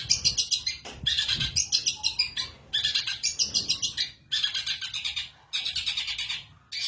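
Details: Long-tailed shrike, caged, in Indonesia, singing loudly the moment its cover opens, for use as a tutor: rattling buzzy phrases of one to one and a half seconds, separated by short silences, with a few low knocks.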